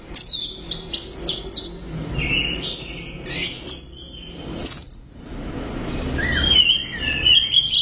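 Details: Orange-headed thrush singing loudly, with crisp repeated high chips, then looping whistles, a burst of fast trilled notes and a longer sweet warble at the end.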